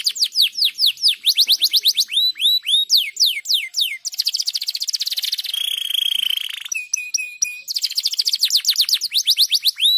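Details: Canary singing to stimulate other canaries: continuous loud song of repeated downward-sweeping whistles, shifting into a buzzy rolling trill, a steady mid-pitched tone, then back to fast swept notes.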